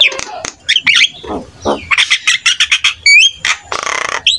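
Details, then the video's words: Jalak kebo (buffalo starling) singing a varied song for training young starlings; harsh squawks, rapid chattering bursts and a clear rising whistle near the end. "PUTAR SESAAT..‼️ SEMUA JALAK PASTI IKUT NYAUT"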